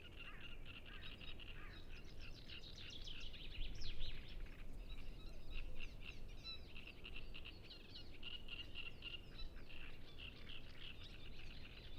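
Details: Many great reed warblers singing at Ema-Joe Suursoo Natural Reserve on the shores of Lake Peipus, recorded with a Zoom F6 and Sennheiser MKH 8040; overlapping harsh, chattering phrases over a strong low rumble of wind or background noise.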